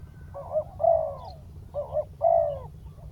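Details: Decoy spotted dove calling to lure a wild bird down: two paired coos, a brief broken note followed by a longer hoarse hum, repeated about twice in three seconds, with low background hum.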